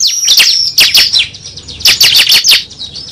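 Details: Cible call played as a bird lure: bursts of sharp, high, downslurred chirps and squeaky twitters in quick clusters, separated by short pauses.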